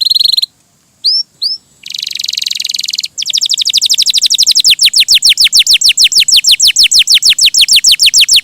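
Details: Vigorous, melodious gacor canary song: a buzzy burst, paired upslurred notes, a dense roll of high trilling, then a long rapid series of steeply falling whistles repeated several times a second.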